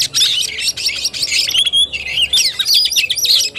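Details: Fighting-style (tarung) song of an Oriental magpie-robin, 17 August 2021: loud, rapid bursts of chattering high notes broken by clear sliding whistles, delivered almost without pause.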